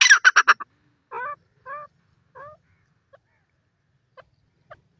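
Partridge chicks: four quick harsh, rasping notes, then three clear, falling calls about half a second apart, trailing off into faint soft peeps.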